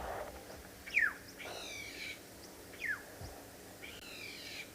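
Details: Oxpeckers calling around a big, nervy buffalo herd in a warm, sheltered spot out of the wind on an afternoon drive in South Africa; shrill downslurred whistles and buzzy rasping notes repeat about every two seconds over low rumble.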